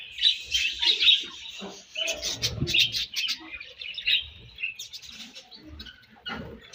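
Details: Budgies feeding on their favorite food produce rapid, high warbled chirps and scratchy chatter, rising and falling in short bursts, mixed with faint pecking and rustling sounds.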